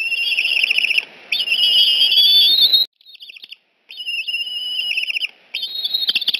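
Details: Eagle at the Decorah nest on 14 September 2018 around 6:45 am, as a juvenile visits and is escorted away: high, thin whistled chatter in rapid pulsing runs, with a rising sweep and short breaks.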